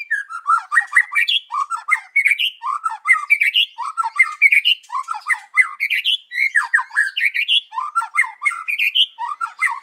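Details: Morning song of a white-rumped shama used to lure birds: continuous loud, rich warbled phrases sweeping between low and high notes, repeated rapidly with scarcely a pause throughout.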